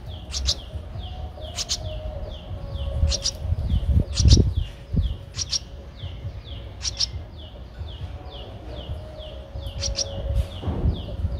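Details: Streak-eared Bulbul nestling aged 13 days, Ubon Ratchathani, Thailand, 15 April 2023: short high downslurred notes repeated steadily about twice a second, mixed with occasional sharp clicks and low rustling thumps.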